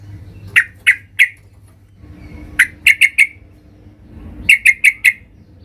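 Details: Loud yellow-vented bulbul calling out for a rival: three short clusters of three or four clipped, mid-pitched notes, each cluster a second or more apart, over faint low hum.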